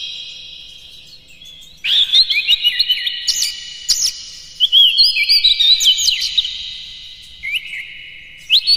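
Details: Shama song, white-rumped, used to rouse other birds: after a quiet start, a rapid run of whistled, warbling notes with sudden upward sweeps and sharp clicks.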